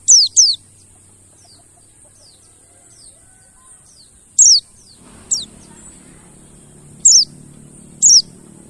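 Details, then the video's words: Lure sounds of mountain white-eye to make silent birds sing: a quick pair of very high falling whistles, then single sharp descending notes every second or two, with faint softer echoes and low background noise. "PANCINGAN BURUNG PLECI MONTY BAHAN MACET BUNYI AGAR GACOR NGALAS BUKPAR"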